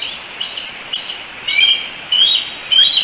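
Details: Three bald eaglets in a nest at Decorah, filmed by a nest camera on 16 July 2018, chattering together and probably calling for their mother: short, high, squeaky chirps in three bursts, each louder than the last, over faint background hiss.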